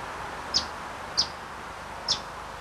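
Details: Eastern Bonelli's Warbler, a vagrant recorded at Whitley Bay Cemetery, Tyne & Wear, England, in September 1995; three short, sharp high chip-like calls spaced about half a second to a second apart over faint background rumble.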